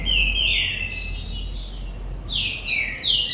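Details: Green-winged saltator from a commercial breeding aviary giving long, clear whistled notes, a drawn-out falling phrase then a rising one, strong and ringing over faint low background hum.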